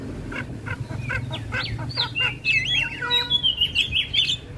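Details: Singing Javan myna, full head-nodding display, recorded as master song for other starlings. Rapid chattering notes lead into a long, twisting warbled whistle with squeaky high phrases over a steady low background hum.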